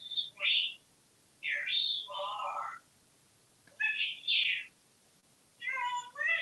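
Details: Male African grey parrot, a talkative pet hatched in 1997, living indoors in a home in Texas, playing with a snowball and knocking a pail off a counter. Four bursts of bright whistled, warbling, speech-like phrases with quiet pauses between them.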